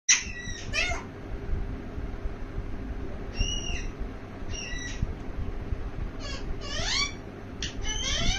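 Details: Talking parrot producing scattered short raspy, harmonic-rich voice-like squawks and syllables, some in quick bursts, over a steady low rumbling background noise.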